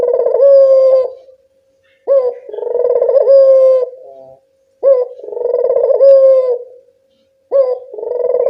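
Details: Barbary dove, local bird, calling as a lure for responding doves: low cooing phrases about every 2.7 seconds, each a short rising note, a rolling trill-like coo and a sustained tone, separated by brief silences.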